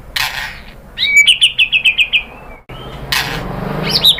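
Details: Murai batu (white-rumped shama) in a provoking lure recording: a rapid rattle of about nine bright chips after an upward sweep, a brief silence, then loud rustling noise and a high squeaky phrase.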